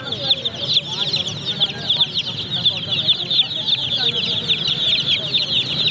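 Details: A crowd of baby chicks keeps up an unbroken stream of sharp, high-pitched peeps, many birds calling at once, over a faint low rumble.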